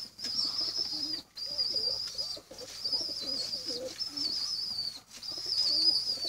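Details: Pigeon chicks begging for food, giving a sustained high-pitched squeaky whine in four long bouts separated by brief gaps, with soft lower-pitched murmuring underneath.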